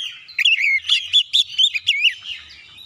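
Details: Oriental magpie-robin song meant to provoke other birds into singing: a fast run of loud, whistled, warbling notes that rise and dip, with bright sweeping phrases packed closely together and a softer trailing end.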